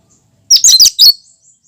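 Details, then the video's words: One loud phrase of natural cucak kinoi song without mimicked notes: four rapid, sharp, high chirps run together in just over half a second after a short quiet lead-in. "Suara asli cucak kinoi"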